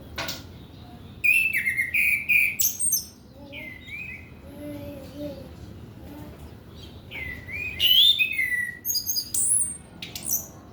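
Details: Song of an orange-headed thrush, played to draw out young males not yet in song: bursts of rich, rapid whistles and sharp high notes separated by a quieter stretch of soft, lower warbled phrases, then another energetic run.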